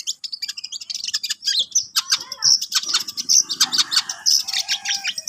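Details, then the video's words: Singing long-tailed shrike (cendet) delivers a busy stream of scratchy high chips, with clear pure whistled notes slipped in every second or so and a faint low rattle behind. "BELAJAR MAEN, BURUNG CENDET"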